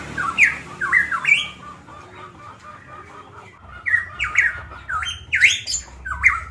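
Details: Golden myna from Manokwari, Papua, singing actively: loud, clear squawking whistles with swooping rising and falling notes, delivered in two bursts separated by a quieter pause with a faint steady background hum.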